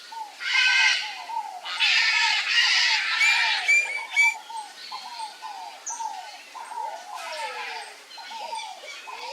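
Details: Pale-crested woodpecker, a male feeding on papaya, calls in a steady series of short downslurred notes, roughly two per second, with loud bursts of rustling and scraping during the first half.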